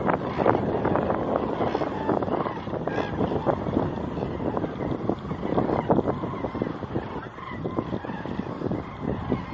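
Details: A large resting flock of common cranes in the Wetterau wetlands near Utphe, Germany, on a clear, mild afternoon of 30 December 2021 gives a dense chorus of rolling, trumpeting calls, overlapping without pause, over a steady traffic rumble and a few spoken words.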